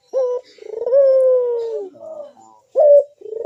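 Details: Big-voiced bekur call of a Barbary dove, meant to draw other puter doves into calling: a short coo, then a long smooth coo gliding gently downward, followed by softer notes and another short, sharp coo.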